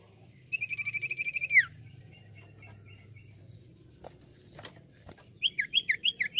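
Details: Lure song of a common iora: a rapid, slightly buzzy trill of about ten notes ending in a falling slur, a softer trailing series, then a few clicks and a run of quick downslurred whistles.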